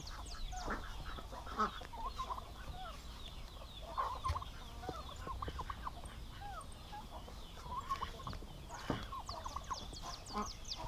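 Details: Aggressive male domestic turkeys housed together at a farm in Paraná, Brazil, giving fairly quiet, scattered gobbling bursts at intervals, mixed with dense high-pitched chirping from many other birds and a low rumbling background.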